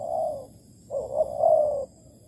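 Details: Spotted dove at a Malaysian bare-bait trap, 11 August 2020. A soft drawn-out coo is followed after a gap by a longer, slightly wavering coo with a stronger middle, over faint background hum.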